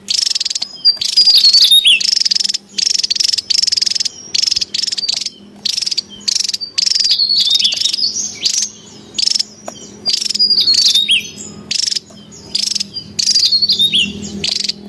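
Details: Javan tesia, noisy in the wild, recorded to lure and train birds: a steady stream of high buzzy bursts laced with quick twisting whistled slides, barely pausing throughout.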